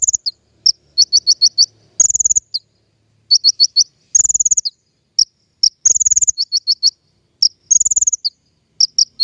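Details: King konin, recorded as a lure sound for bird trapping, giving clusters of three to five high, sharp chips alternating with fast buzzy trills roughly every two seconds.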